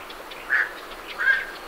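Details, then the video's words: Night heron leaving its roost: two quick, harsh croaks about three-quarters of a second apart, recorded at medium-close range, with faint great reed warbler notes in the background. "Night Heron Calls / Night Heron. Calls MCU From Birds Leaving Roost"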